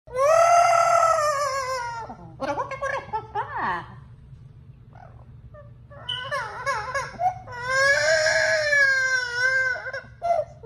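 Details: Pet yellow-naped amazon parrot indoors crying for its owner, imitating human sobbing: long wailing harmonic cries, a wavering broken middle section, then another drawn-out wail and short sobs.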